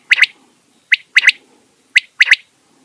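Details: Big quail calling at night at home: sharp, high whistled notes in a repeating single-then-double pattern, 'whit, wit-wit', heard three times over about three seconds, with a quiet background.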